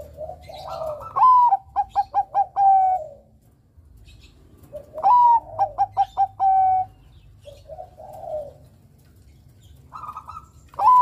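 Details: Bangkok zebra dove singing eagerly as a lure recording for young males: repeated phrases about every four seconds, each a rising coo, a rapid string of short notes, and a held closing coo, with soft low coos between.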